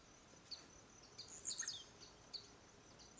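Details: Male Blue-black grassquit, filmed near a reserve of giant araucarias in Itaiópolis, Santa Catarina, Brazil, displaying with leaps (courtship of females and competition between males) gives a single short, high, buzzy burst with faint sharp ticks over a steady thin insect whine.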